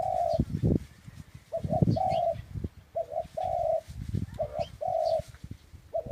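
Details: Dove cooing in a steady rhythm, doubled short notes alternating with longer coos, accompanied by frequent low thumps and rustling noise and faint high chirps of other birds.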